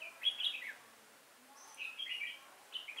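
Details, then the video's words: Decoy red-whiskered bulbul singing beside a trap to attract wild bulbuls, October 2018. Three short, clear, whistled-warbled phrases are spaced about a second apart, each a tumbling run of bright notes. "Bẫy chào mào Nết chơi siêng cánh lăng xăng"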